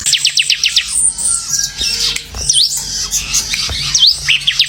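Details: Bar-winged prinia in semi-gacor song: a quick run of sharp high chips opens, then scratchy, squeaky twitters and bright upslurred notes fill the rest.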